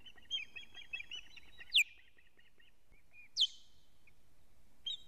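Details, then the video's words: Osprey alarm calling at a nest in Latvia on 19 July 2017 at 19:43, as the male brings a living fish; a few short chirps, then two sharp piercing whistled notes about a second and a half apart, over faint background hiss. "Teo brings a living fish- alarm calling"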